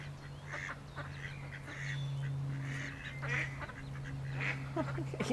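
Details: Ducks calling with repeated harsh, nasal quacks in short bursts, several spaced over a few seconds against a steady low hum and some background noise.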